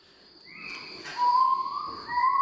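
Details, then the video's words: A little owl gives drawn-out, cat-like mewing notes, one higher and a longer lower one that swells, over a steady thin high whine like a cricket. "Maullan los mochuelos, esto es fácil."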